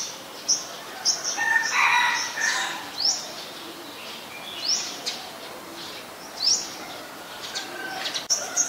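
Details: A Brown-throated Sunbird in Ubon Ratchathani, Thailand, on 13 January 2021, gives sharp, high chips and short upslurred notes at irregular intervals, with a brief lower chattering phrase and faint background hiss.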